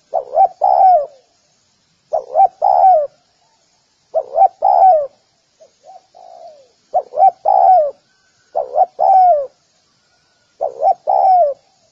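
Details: Six rhythmic spotted dove phrases from a dove-training recording. Each has two brief hoots and a long mellow coo sliding down, repeated about every two seconds, with soft low coos in one gap.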